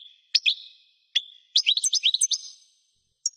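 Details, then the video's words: European goldfinch song: sharp high notes with ringing tails, then a quick run of twittering, tinkling phrases, ending in two bright clipped notes; background otherwise silent. "chant de chardonneret"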